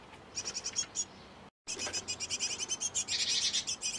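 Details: At a nest box where a great tit pair feeds its nestlings, rapid high, thin notes run in quick series, broken by a brief silent cut, then continuing and thickening into a denser chatter.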